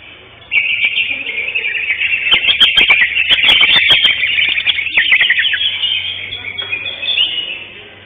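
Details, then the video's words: At a bird singing contest held 11 October 2025, the first-place greater green leafbird starts abruptly into a long, rich, rapid stream of high twittering and sharp ticks that fades gently near the end, with a faint low hum beneath. "JUARA 1 CUCAK HIJAU JENAR"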